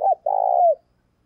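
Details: Morning call of a decoy spotted dove luring wild doves: one short hollow note, a pause, then a long, burry, slightly quavering coo that falls away at the end.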